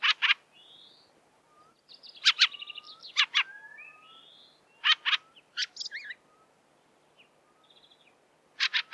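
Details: Harsh chattering chacks from a fieldfare, doubled and tripled at irregular intervals, while other birds add high twittering phrases and soft thin whistles.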